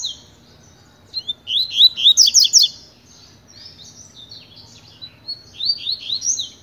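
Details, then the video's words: Pure tui-tui song from a Double-collared seedeater tutor during training: a loud burst of fast, sharp sweeping notes, followed by softer twittering and another bright phrase near the end. "COLEIRO TUI TUI PROFESSOR TREINANDO"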